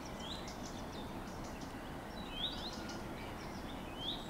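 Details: Common redstart, 15 June 2023, giving two thin, rising whistled contact calls over a steady low rumble; marsh frogs croak in the same recording.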